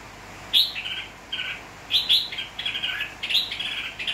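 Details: Red-whiskered bulbul, a newly wild-caught bird from Nghệ An, Vietnam, tamed to people, recorded 29 April 2024; bright warbled phrases in three short bursts, each a quick run of liquid, slightly rising notes, over a quiet background.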